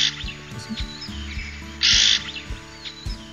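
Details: Red-billed Oxpecker in the African bush, calling as it likely flies above the treetops: a single harsh, hissing burst about a third of a second long, with faint thin whistles and soft music; guides treat it as a warning of nearby buffalo or rhino.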